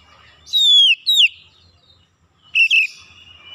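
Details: Oriental magpie-robin calling: two pure downward-sliding whistles, then after a pause a buzzy, wavering note trailing into a drawn-out tone.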